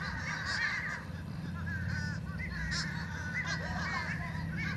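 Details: Fish crows calling noisily together, a dense tangle of short, nasal, cawing notes from several birds at once, rising and falling without a steady rhythm over a low background rumble.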